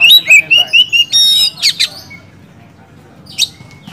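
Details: Oriental magpie-robin singing to stimulate silent kacer: a rapid string of whistled notes sliding down, then buzzy chatter, fading into quiet with one late rasping note.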